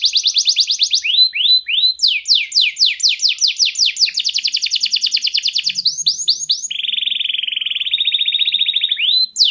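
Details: Clear-voiced canary song used as a lure for canaries that have gone quiet: quick high trills, upward-curving whistles, repeated descending sweeps, then a long even buzzy roll ending in a rising note.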